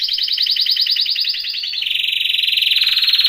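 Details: Belgian canary song used for training, a fast rolling trill of rapid repeated notes that holds steady, then drops slightly lower into a denser, buzzier roll toward the end.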